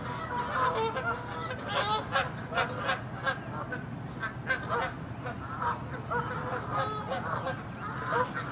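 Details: Fighting Canada geese, angry and territorial, chasing one another near water; many loud, honking calls overlap in quick irregular bursts, with short pauses between noisy flurries and a low steady background hum.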